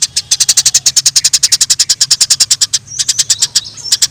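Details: Eurasian tree sparrows fighting in the wild, giving an unbroken volley of sharp, bright chirps at a rapid, even pace, then a few thin, high whistled notes slipping in near the end.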